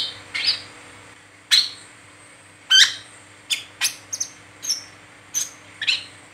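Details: Brown-throated sunbird singing 'ngeriwik teler', played as a lure for training others: shrill, clipped notes, some slurring downward, spaced irregularly and quickening into paired chips toward the end, over a steady faint hum.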